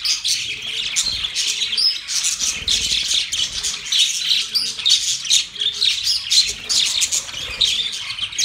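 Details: Several budgerigars chirping and warbling during mating, a rapid scratchy chatter of short squawks and tweets overlapping continuously, with faint low cooing notes underneath.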